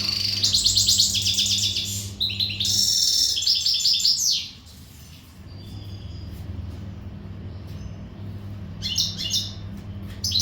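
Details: Powerful readiness song of an untutored al-Gharb goldfinch: fast, metallic twittering bursts and jangling trills in the first half, a quiet stretch, then further short high flourishes, with constant low humming behind.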